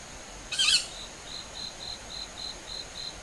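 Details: Young owls calling at night in early summer, July 20 around 19:40, about five birds moving some tens of metres above a home garden, recorded on a compact camera set on a gatepost; one brief harsh hissing screech, then thin high ticks about three per second.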